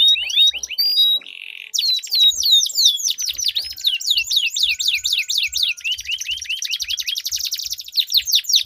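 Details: Canary singing duel with long rolling song, played to spur stuck canaries into song: opening whistles and a buzzy trill, then long runs of rapid swooping notes and dense rolling trills, over soft low thumps.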